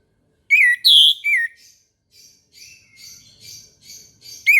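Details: Orange-headed thrush in the morning with a loud three-note whistled phrase, followed by soft, scratchy chattering notes and the start of another phrase.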